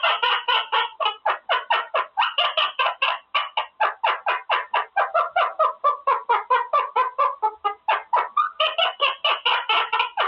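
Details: Male Quaker parrot practising words in his cage, giving a long, steady series of short clipped syllables, about two per second, in a rhythmic stuttering chatter lasting ten seconds.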